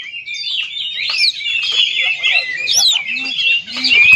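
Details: Provoking song of an oriental magpie-robin, played to stir other magpie-robins to sing: an unbroken stream of high whistled and warbled phrases, sweeping up and down, with faint low murmurs beneath.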